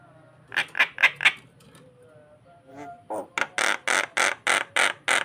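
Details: Starling singing to lure another bird: a few harsh broadband notes, a soft whistled phrase, then a steady run of loud rasping notes at about four per second.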